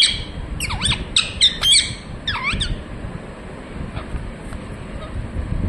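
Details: Short, sharp parrot squawks with downward-bending notes, given in a quick cluster of about eight calls, then quiet background.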